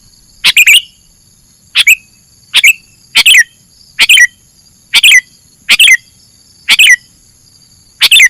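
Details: Sooty-headed bulbul sound used to attract birds for trapping; sharp two- and three-note chirps with a dropping whistled tail, repeated at irregular intervals near one second, steady high background tone throughout.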